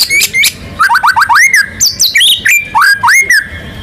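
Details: Energetic white-rumped shama song with rolling fill phrases: rapid chains of rising upslurred whistles, sharp high clicks and a few sustained clear notes, delivered in dense bursts.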